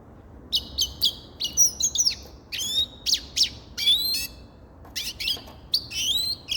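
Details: Grey-crowned goldfinch in lively song: a continuous stream of sharp high chirps, rising twitters and short buzzy slurs, loud and close.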